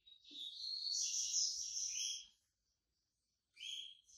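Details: Yellow-bellied seedeater, a white-breasted bird coming out of moult, delivering a rich, fast warbled phrase of high twittering notes for about two seconds, a pause, then a short sharp restart; faint low thumps in the background.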